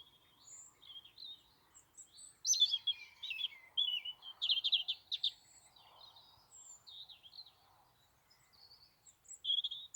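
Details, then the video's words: Robin song in Dartington with other birds calling nearby. Varied high phrases of sliding whistles and quick twitters come in bursts separated by pauses, over faint low background noise. "Robin and other birds singing"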